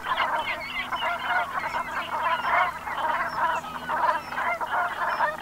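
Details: Brent geese, Gulf of Morbihan in Brittany, France, recorded at sunset on 7 November 2021: many birds give low guttural, rolling calls in overlapping bursts, swelling and fading roughly every second.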